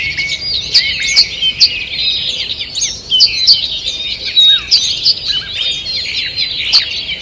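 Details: Morning birdsong in a forest, recorded 2 June 2023: a dense chorus of many small birds overlapping, high bright chirps, trills and sliding whistles filling the air continuously, with sharp loud notes every second or so and a steady high hiss.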